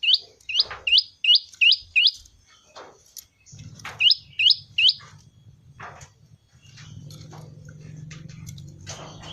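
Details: Prinia, called prenjak lumut in its ceng-ceng style: a quick run of about six sharp, hooked notes that sweep upward, then a pause and three more. Low hum and faint clicks follow.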